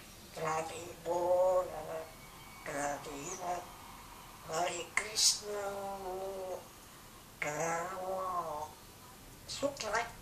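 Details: African grey parrot talking in Gujarati, mimicking the owner's grandmother's voice indoors: several speech-like phrases of voiced, harmonic syllables with rising and falling intonation, separated by short pauses.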